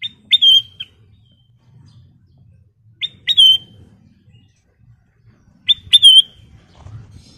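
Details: Golden-coloured sooty-headed bulbul (kutilang emas) singing steadily: three matching phrases, each a short note then a longer wavering whistle, repeated about every three seconds over a faint low hum.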